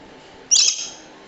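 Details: Swainson's lorikeet giving a single shrill, harsh screech lasting under half a second, high-pitched and grating, against a quiet background.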